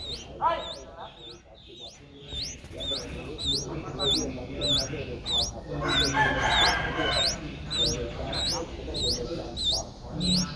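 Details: Seven-day-old Streak-eared Bulbul chick in Ubon Ratchathani, Thailand, on 9 April 2023, giving thin upswept squeaks in a steady series of roughly fifteen, with some rustling and low background noise underneath.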